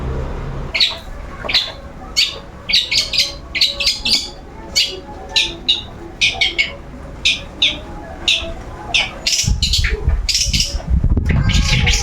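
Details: Caged long-tailed shrike sunbathing during its routine and refusing to go quiet, giving sharp, scratchy high chirps in short clusters, spaced irregularly, with louder low rumbling noise in the background near the end.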